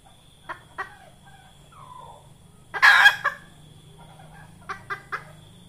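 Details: Hen red junglefowl calling, used as a lure for trapping wild junglefowl: a few short clucks, a soft falling note, then a loud harsh burst near the middle and three quick clucks at the end over a faint steady hum.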